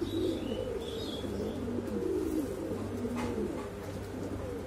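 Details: Boom calls from exhibition Homer and Shiraji pigeons: soft, throaty coos rising and dipping, a brief higher chirp near the start, all over a persistent low humming background.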